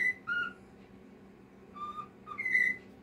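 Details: Cockatiel song: clear whistled notes that step between higher and lower pitches, a pair at the start and another pair near the end, over a steady low indoor hum.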